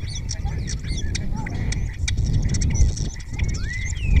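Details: ['In Cabañeros National Park a spotless starling sings close up while others reply; its song mixes in mimicked orioles and kites. Sharp clicks and short whistles end in a rising slurred whistle, over constant low noise.']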